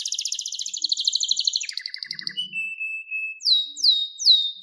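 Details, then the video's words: Canary singing a fast buzzy trill that shifts into a lower rattle, a long flat whistle, and then loud downward-slurred notes repeated about twice a second. "Wonderfull Canary Singing"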